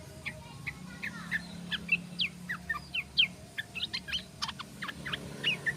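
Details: Tame yellow-vented bulbul singing actively in the rapid 'ropel' style: a busy stream of short, sharp chirps and quick up-and-down notes, loud accents at irregular intervals, with a low steady hum underneath.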